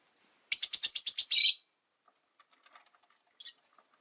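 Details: Caged rosy-faced lovebirds kept by a window, five birds in the household, give a rapid run of about ten harsh, buzzy chirps lasting a second, then near silence with one short squeak later.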